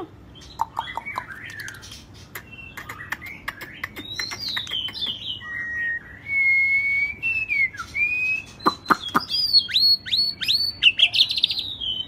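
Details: White-rumped shama, shrimp-tailed variety, singing 'rít thuốc lào' style with scattered clicks, wandering whistles, a clear level whistle, then a rapid series of repeated sharp downslurred notes.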